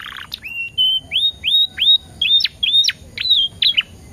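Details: Canary song used as a training lure, with ten-second pauses: clear whistled phrases near the same pitch, each a short rising slur ending in a sharp downward flick, repeated about every half second.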